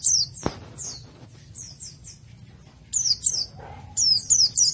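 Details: White-eye song in a masteran training recording: clusters of thin, high, downslurred notes, a quieter pause in the middle, then renewed bursts of quick descending chirps, over a low background rumble.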